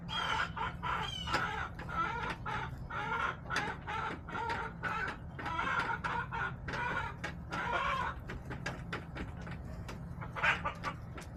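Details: Hens in a backyard flock on March 30, 2024 keep up dense, overlapping clucks and short squawks, many birds calling at once in a continuous busy chorus with a low steady hum beneath.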